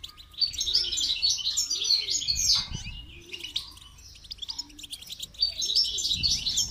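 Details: Goldfinch in song training gives long, continuous high twittering and chattering, with a soft, low cooing sound repeating underneath about every one and a half seconds.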